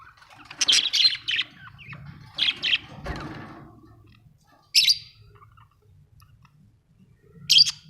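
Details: Budgies in a home give a few grating chirp bursts early on, then isolated sharp single squawks after longer silences.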